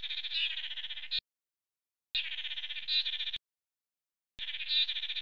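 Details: Lance-tailed Manakin at a monitored display perch on Isla Boca Brava, Chiriquí, Panama, on April 9, 2018, during a courtship display involving two males and visiting females; three nasal, buzzy, slightly pulsing calls about a second long, repeated every two seconds.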